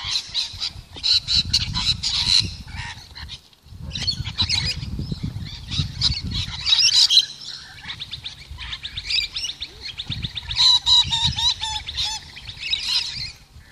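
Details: A flock of lorikeets being fed in a yard keeps up a constant harsh, high screeching chatter, many birds overlapping, with low rumbling handling noise underneath.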